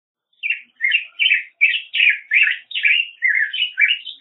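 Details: A long, flowing Black-headed grosbeak song: about eleven robin-like warbled notes repeated at roughly two or three per second, varying slightly in pitch, in a quiet setting.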